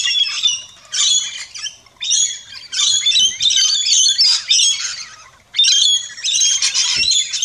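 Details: Several rainbow lorikeets at an Australian backyard feeding station give loud, raspy, high-pitched squawks in long overlapping bursts, with brief quiet gaps and a few soft low thumps.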